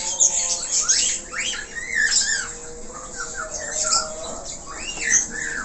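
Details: Budgerigar warbling vigorously with varied filler notes: a continuous jumble of buzzy scratchy notes, quick up-and-down chirps and squeaky twitters rising and falling in loudness.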